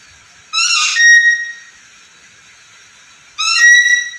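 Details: Black-capped lory, a chatty bird able to talk: two loud, ringing whistled calls about three seconds apart, each starting with a rising rich burst and ending on a steady, sustained pure tone, with quiet between them.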